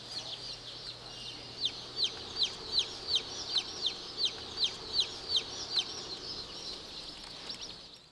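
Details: Buff Orpington chicks peeping: after a soft start, a run of sharp, high, slightly downslurred peeps repeats evenly about twice a second, then fades to quieter chirping over a faint low hum.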